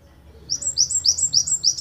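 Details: Java sparrow from Ponorogo, a training master recording for songbirds: a run of high, quick descending chirped notes, paired and repeated at a steady pace, over a faint low background hum.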